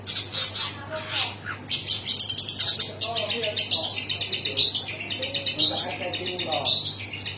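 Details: Long-tailed shrike singing a varied, high, scratchy medley of chirps and chattering phrases, with some lower mellow notes and faint voices in the background.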